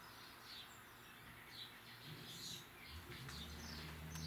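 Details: A large flock of Eurasian tree sparrows frenziedly feeding at backyard feeders in suburban St. Louis County, Missouri, on 17 November 2024 in early afternoon, giving scattered, high, thin overlapping chirps above a steady low rumble.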